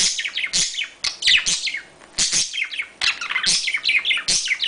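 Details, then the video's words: Budgerigars, mating sounds: dense, rapid chattering warble of high chirps and squeaky notes in bursts, several overlapping, with brief gaps. "paring geluid van Australische papegaaien /parkiet paringsgeluid"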